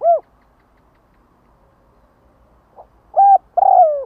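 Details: Spotted dove luring call meant to rouse other doves quickly. An arched coo opens, then a pause, then a faint note, a flat coo and a long downslurred coo. Quiet, steady background.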